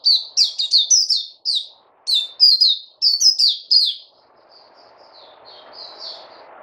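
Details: Caged white-eye (puteh) on fruit food, 29 August 2020, giving bursts of fast high chirping in three clusters, then fading to soft thin slurred notes over a rising low hum.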